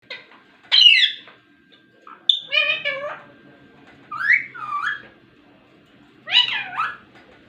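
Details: A talking rose-ringed parakeet (ringneck) gives four short bursts of raspy, speech-like syllables, each about a second long and a second or two apart, over a faint low hum.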